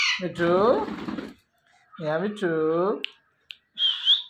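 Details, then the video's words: An Alexandrine parakeet, a pet called Alex, giving its natural morning calls: two harsh, nasal squawks about a second long, then short, high whistled notes. "Alexandrine Parrot Natural Sounds"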